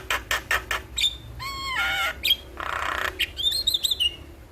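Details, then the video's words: Starling in the morning, used as a tutor song for birds, giving clipped chirps, a layered descending whistle, a harsh hissing burst and rising twittered notes. "Pancingan Dan Masteran Burung jalak Di Pagi Hari Bikin Cepat gacor"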